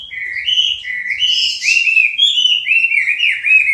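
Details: Singing hwamei, Garrulax canorus of southern China, pouring out a continuous run of melodious slurred whistles that rise and fall, with brief higher flourishes mixed in.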